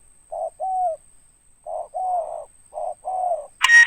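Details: Loud spotted dove call in the 'ngeruk' style with its ending note. Three pairs, each a brief low note then a drawn-out falling coo, separated by pauses, and a sharp click at the end.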